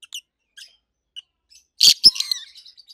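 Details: Two adult rosy-faced lovebirds in opaline colour mutations: a few faint tweets, then a loud harsh shriek and a sharp chirp, fading into thin twittering notes.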